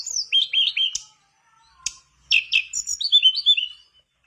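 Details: Mangrove blue flycatcher in song to prompt other birds to sing: a run of falling whistled notes, a quiet gap with a few clicks, then a bright sequence of sliding, descending whistles.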